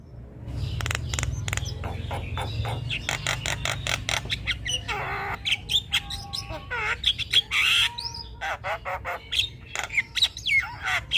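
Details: Vigorous Javan myna song on a training recording for other birds: dense harsh clicking and rasping bursts with scattered whistled notes, over a low rumble at the start.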